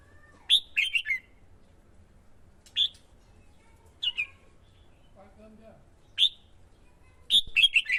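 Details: Red-whiskered bulbul male excited by a female into competitive decoy singing: scattered single sharp chirps between two short jumbled whistled phrases, with a faint lower murmur in the middle.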